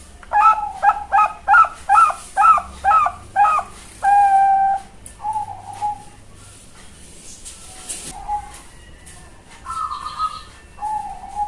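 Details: Young Bangkok-type zebra dove from a Kebumen, Central Java, Indonesia bird farm, singing as a lure for other birds to reply: a rapid run of about eight bright, rolling coo notes, then a sustained note and sparser, quieter cooing phrases.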